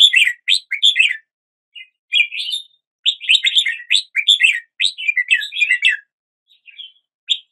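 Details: Cheerful warbling from a red-whiskered bulbul: quick strings of chirpy notes forming dense phrases, a brief pause, then a final short note; background silent.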